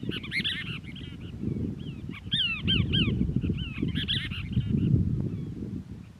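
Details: Cassin's Kingbirds in Crystal Cove State Park's Moro Canyon, California, 19 December 2021. Rapid, scratchy, arched notes come in chattering clusters, louder midway, over constant low-frequency background rumble.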